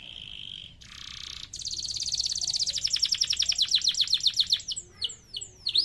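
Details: Canary singing vigorously in a long, ornate 'gacor' style used as a tutor song. A steady whistled tone and a brief rushing noise lead into a fast trill of rapid repeated notes, which ends in high downward-sweeping notes.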